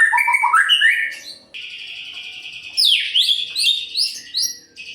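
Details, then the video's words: White-rumped shama in lively song, used to spur less responsive birds into singing. Rapid rising whistled notes give way to a steady high buzzy tone with quick repeated chirps on top. "Murai Pastol Gacor Cocok untuk Memancing Burung Yang Kurang Emosi"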